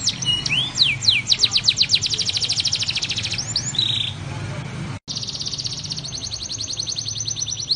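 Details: Blackthroat-style roll sung by a canary for tutoring other songbirds: sweeping whistles and a rapid pulsing trill, a short buzzy note, a brief silent break, then another long fast even trill, with a low hum throughout.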